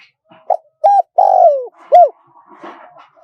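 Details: Small-voiced wild-style spotted dove coo phrase with khat, nun and khu ang parts, played to draw wild doves in quickly; short soft coos build to a long falling buzzy note and a final dipping coo, then faint rustling noise.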